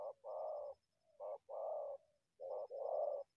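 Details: Wild spotted dove approaching a decoy from the undergrowth, uttering loud, throaty paired coos, a short clipped note then a longer rough one, repeated three times with soft connecting notes between.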